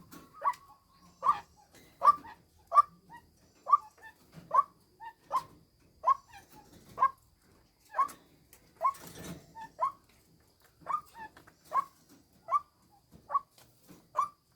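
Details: Female white-breasted waterhen giving harsh, nasal croaking notes near one pitch, spaced unevenly about once a second and fairly soft, with faint rustling between them.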